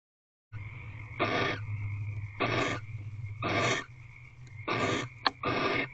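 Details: Female barn owl reclining on the floor of a nest box, evening of 28 February 2023 at 5:57 pm: five harsh, breathy hissing bursts, each about half a second long, spaced roughly a second apart, over a steady low electrical hum.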